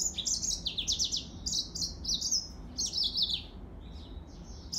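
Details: Yellow-fronted canary singing a continuous, energetic high warble of rapid chirps and quick downward slurs, repeated in bursts for several seconds before fading into softer notes.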